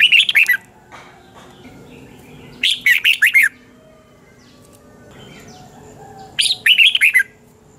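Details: Caged red-whiskered bulbul singing a morning training song in the double-twist voice style, used as a lure for training other birds: three bursts of rapid, bright warbled notes, each about a second long, spaced by quiet gaps.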